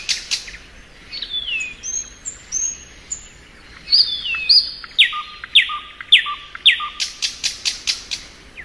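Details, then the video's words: Spring song of a thrush nightingale, mixing thin drawn whistles and slurred descending notes with sharp repeated strokes and a low steady tone, finishing in a rapid series of loud high ticks. "Nightingale Song.(Luscinia)."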